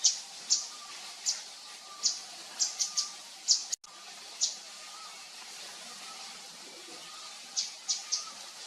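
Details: Javan fulvetta calling in the wild: scattered single and paired high, sharp chip notes at irregular intervals, with a brief dropout in the middle and steady ambient hiss.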